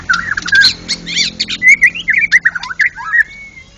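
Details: White-rumped shama, a contest champion, singing vigorously in ngeplong style. It gives a fast run of rich, varied whistles and chirps, ending in one long, thin, steady whistle.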